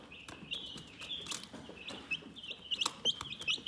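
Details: Relaxed chicken chirping: high, slightly rising peeps in an uneven series, mixed with sharp clicks and light scratching.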